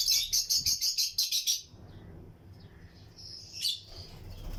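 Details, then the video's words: Lutino lovebirds in a breeding colony cage: a quick run of about ten evenly spaced shrill chirps, then quieter scattered twittering and one sharp call. "Lutino Lovebirds Breeding Colony Cage - Chirping and Relaxing Sound"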